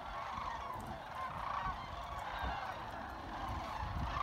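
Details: A large gathering of sandhill cranes at Jasper-Pulaski Fish and Wildlife Area, trilling and chattering together; countless rattling, bugling voices merge into a steady crowd-like roar, a few louder calls rising briefly above the mass, low rumble beneath.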